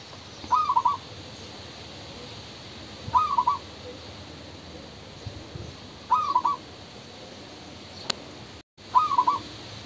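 A male spotted dove gives soft, low cooing phrases of a few notes each, repeated about every three seconds, over faint steady background noise.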